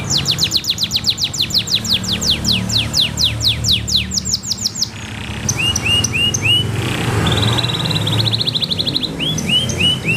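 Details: Canary with a loud, clear voice, singing as a model for training young canaries and canaries that have stopped singing. Rapid series of descending sweeps, then whistled upslurred notes and a fast buzzy trill, over steady background hiss.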